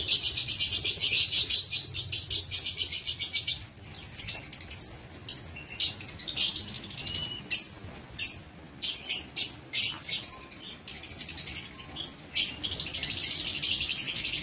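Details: Aviary lovebirds on 19 September 2023 give a fast, continuous shrill chatter that breaks into spaced, sharp high chirps, some in quick pairs, before the dense chatter resumes.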